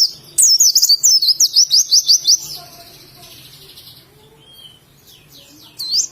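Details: Pleci, the oriental white-eye of Indonesia, in ngalas song: a quick run of about a dozen evenly repeated high, bright whistled notes lasting two seconds, then near silence before a final short chirped phrase.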